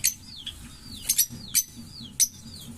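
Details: A green Fischer's lovebird pair gives a handful of sharp chirps and thin downslurred whistles, spaced about half a second apart, with quiet pauses between them.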